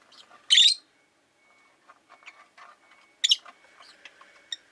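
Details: Two piercing, raspy chirps about three seconds apart from caged Rosy-faced lovebirds, five birds by a window, with soft twittering and faint clicks in between.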